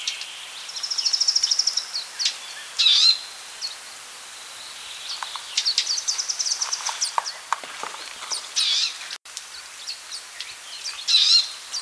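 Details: Palestine sunbird with a brief high, fast trill early on, then scattered thin chirps and a few sharp notes against steady background hiss.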